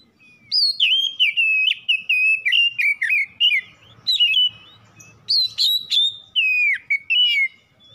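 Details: Oriental magpie-robin kept at home (kacer rumahan), singing continuously as a lure to trigger song: rolling chains of whistled notes dipping and rising, interspersed with high sharp ticks, with hardly a break.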